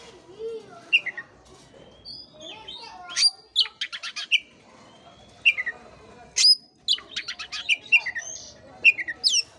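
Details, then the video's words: Kacer, the Oriental magpie-robin, delivering a stimulating lure song for a listless bird: repeated phrases of sharp rapid clicks and chirps, each followed by bright downslurred whistles, separated by short pauses. "pancingan kacer jitu dan ampuh buat kacer loyo kurang ber gairah"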